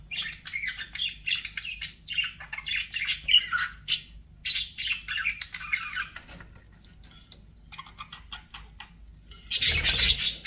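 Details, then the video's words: Budgerigars kept as pets, chirping and warbling: a long run of rapid uneven chirps and squeaky warbles, fading quieter near the end before a loud harsh burst of squawks. "BUDGIE SOUNDS"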